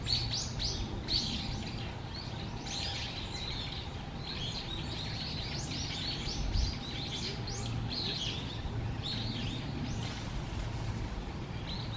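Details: Little grebe chicks calling at feeding time in a Japanese park pond, late November 2023: a dense run of shrill, high-pitched chirps repeated rapidly and almost continuously over a low ambient hum.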